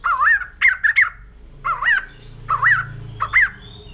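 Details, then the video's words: Fluty, wavering whistles of a white-crested laughingthrush, repeated in separate phrases roughly every second, each rising then dipping, with short clicks in between. "Poksay Jambul Putih || Burung Tertawa"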